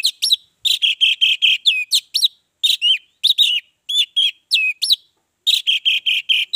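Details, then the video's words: Orange-headed thrush in continuous lure song to draw other birds into singing: repeated strings of bright whistled notes with upward-flicking slurs, short phrases following closely for over six seconds. "Pancingan ampuh Anis merah bikin yang lain bersuara"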